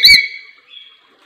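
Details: Lory giving one loud, harsh, nasal squawk, followed by a thin, fading whistled tone in an otherwise quiet setting.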